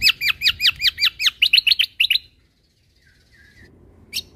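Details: Greater green leafbird (cucak kombo), a caged bird in active song for training other birds. About twelve loud, down-slurred whistles repeated quickly, then a pause with a few soft notes and one final sharp note.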